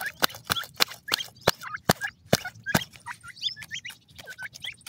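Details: Group of Black francolin chicks: loud sharp knocks roughly every half second at first, then clear hooked, upturned peeps repeated in quick succession.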